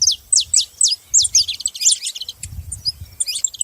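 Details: Saffron finches give loud, high, falling chips at first, then softer overlapping twitters. Low rumbling handling or background noise is audible in the second half.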